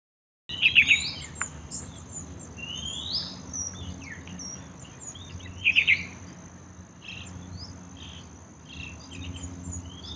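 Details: Yellow-vented bulbul, a common town resident, bathing at a small courtyard water pool. Two bursts of quick, bright chirps sound about five seconds apart, with other birds' swooping whistles and a steady high insect whine throughout.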